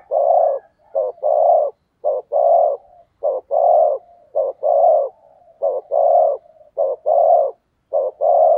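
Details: Spotted dove kept as a decoy, cooing to draw in wild doves in Vietnam: a steady run of low hollow coos, each short note paired with a longer one, repeated rapidly and evenly for the whole stretch.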